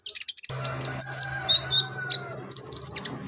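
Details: Lively olive-backed sunbird in full song with varied mimicked phrases, suited as a master song for training other birds: thin, very high chirps, short twittering trills and a quick run of bright notes at the end, over a low steady hum.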